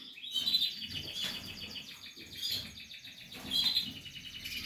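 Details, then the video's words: Canary chicks in the nest, Portuguese harlequin, calling with rapid high squeaky chirps in pulsing bursts that rise and fall in loudness. "canary chicks"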